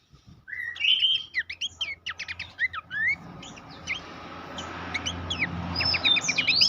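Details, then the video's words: Master song of Horsfield's babbler for training competition songbirds: a clear rising whistle opens a flurry of slurred chirps, then softer scattered notes, and a bright ringing whistle returns near the end. "masteran mewah khas pelanduk semak cetak jawara dilapangan lomba"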